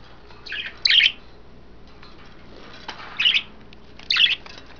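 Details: Bathing pet budgerigars, several females in a cage with wet greens and a water dish, produce three sharp bursts of high, scratchy chirping over a quiet background with a faint flutter.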